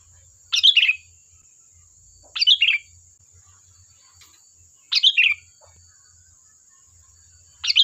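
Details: Sooty-headed bulbul singing, a recording for luring other birds into replying: brisk, chortling phrases of several notes, repeated roughly every two and a half seconds, against a faint steady high hum.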